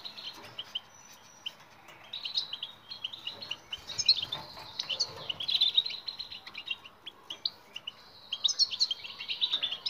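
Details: European goldfinch bitbita song for training silent goldfinches: a soft start, then rising bursts of rapid high twittering and buzzy trills that come in waves, over a faint hiss.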